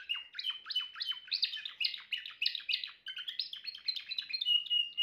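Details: Timbrado canary singing a fast chattering run of downward-slurred notes that flows into warbled trills and ends on a sustained pure whistled tone, loud and close against near silence.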